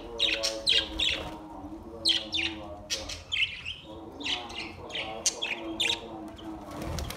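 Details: Budgies singing on August 4, 2023, a lively, irregular stream of high, raspy chirps and squeaky warbled notes in short clusters every second or so. Sustained soft musical tones hum continuously beneath.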